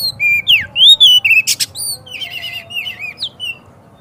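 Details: White-rumped shama (kacer) song meant to provoke a kacer into singing and spreading its tail: loud, rich whistled phrases, swooping up and down, with a brief harsh burst in the middle and softer trilled notes fading out.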